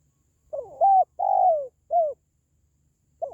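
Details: Spotted dove calling: a faint lead note, then a level coo, a long drawn-out coo sliding downward, and a short falling coo, with the next phrase beginning at the end. Quiet background.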